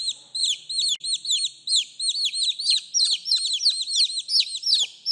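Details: Baby chickens peeping for their mother, shrill arched notes tumbling over one another in a rapid, almost unbroken chorus with a faint low hum early on.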